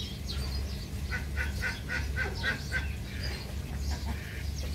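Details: Egyptian geese give a quick run of about eight harsh, nasal honks, roughly five per second, that then fade, while small birds chirp high in the background over a low steady hum.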